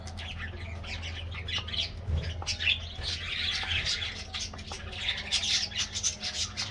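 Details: Colony of colorful budgerigars in an aviary getting a morning diet treat; overlapping high chirps and warbling chatter from many birds, with a steady low hum beneath.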